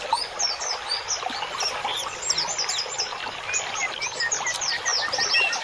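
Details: Birdsong played as masteran for cage birds: busy, overlapping high twitters and chips, fairly soft, with sharper whistles appearing toward the end.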